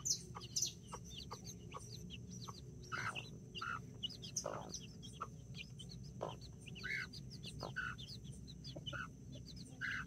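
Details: Backyard scene of nine chicks and two mother hens, mini and Brahma, October 24th 2024: sporadic low clucks and sharp clicking sounds among steady high-pitched chick peeping over a low hum.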